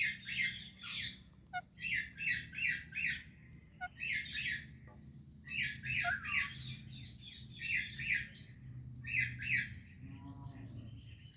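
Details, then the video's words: Parrot greeting another parrot with a long series of harsh, buzzy squawks in repeated groups of two to four, about every half second, pausing briefly between bouts, with a faint low hum underneath. "Indian Parrot Greeting Pakistani Parrot | Funny Talking Parrot"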